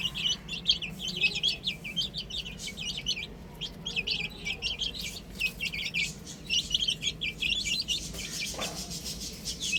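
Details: Chicks on a roof produce rapid, short, high chirps packed closely together, a steady twittering chorus over a low background hum.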